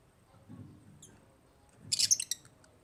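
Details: African lovebirds: a single short burst of high, sharp chirps near the end, preceded by one faint squeak and soft low rumbling in the background.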